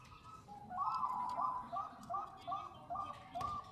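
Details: Female Bangkok-type zebra dove calling to a male, used as a lure to prompt singing: a soft, fairly quiet run of short cooing notes, paired higher and lower, repeated about every half second.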